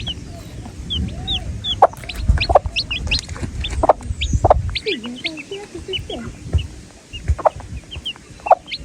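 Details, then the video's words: A busy mix of many high, sliding chick peeps with lower clucking notes and low thumping background noise throughout. "The Chicks Peep Sound"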